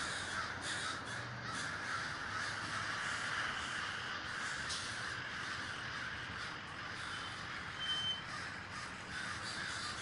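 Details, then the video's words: Crows in a large communal gathering, Davis, California; ten seconds of overlapping harsh caws from a crowd of birds, busiest early on, with background noise throughout. "The Great Gathering of Crows"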